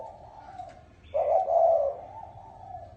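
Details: Spotted dove cooing in the 'chuông đồng' (bronze bell) style, used to call and excite males and females: a soft low hum, then one loud rounded mellow coo with a short upward lift at the start.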